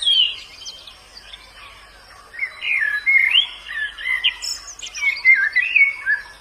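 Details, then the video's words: White-eye in the wild giving a rambling, rapid sequence of high sweet warbled notes, rising and dipping, with a short quieter gap early on and steady faint background hiss. "Suara burung Pleci dialam bebas"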